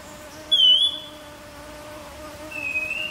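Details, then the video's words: Streaked wren-babbler (Gypsophila brevicaudata) calling at Fraser's Hill, Pahang, Malaysia, in June 2023: a clear, high, slightly wavering whistled note, then a fainter lower whistle two seconds later, over a steady low insect-like hum. "Streaked Wren Babbler call song sound"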